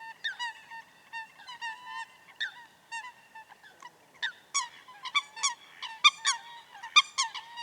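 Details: Wetland coot voice: clipped nasal notes repeated in loose bursts, then sharper explosive, high-reaching 'pitt'-like notes cutting in toward the end, with near-silent gaps and no other clear sounds.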